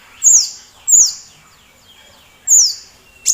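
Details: Sunbird (kolibri), kept as a tutor voice to provoke other birds such as the magpie-robin into song. Three strong, high, falling whistled notes are spaced about a second apart, followed by a final sharp chirp.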